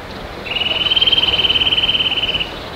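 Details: A Eurasian nuthatch calling in early spring (20 March 2018, 09:50) in Söderåsen National Park, Sweden: a fast, even trill of high, rapidly repeated notes lasting about two seconds, steady in pitch, over quiet background.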